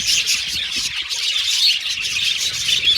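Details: Budgerigars in an aviary colony: a dense, continuous wash of high chirps and twittering from many birds, with short squeaky notes popping out over a steady babble.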